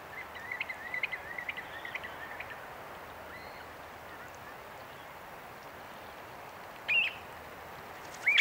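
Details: Common ringed plover: a run of faint quick piping notes at first, then a quiet gap, followed by two louder rising whistled notes near the end, with constant outdoor noise behind.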